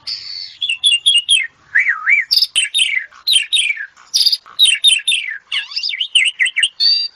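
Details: Asian pied starling giving an energetic stream of rapid chattering phrases, warbling wavy whistles and harsh high bursts, repeated in tight clusters without pause.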